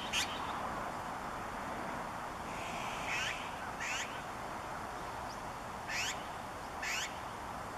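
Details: Azure-winged magpie calling close by with its familiar rasping "gwee-gwee": about six short, harsh, broadband bursts, some in pairs, spaced roughly a second apart, over a steady background hiss.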